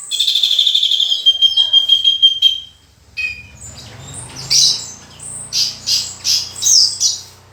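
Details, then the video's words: Vigorous full isian singing from a Horsfield's bush lark (branjangan): a high buzzy trill holding for over two seconds, a pause with low background hum, then loud chirped notes repeated about every half second. "Burung Branjangan Gacor full isian"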